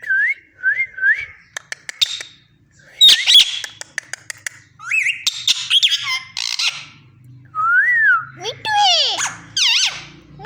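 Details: Pet parrot mixing short wavering whistles with sharp clicks, harsh squawks and swooping descending notes.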